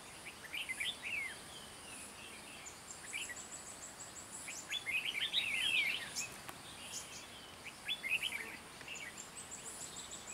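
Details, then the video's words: Red-whiskered bulbul, a crested trapping bird with a 'gáy ngựa' song style, at a bird fight-trap: quick bursts of bright, chattering, warbled phrases, with high thin ticking notes above, a light background hiss and one sharp click. "Bẫy chào mào Mào đá lân gáy ngựa HB"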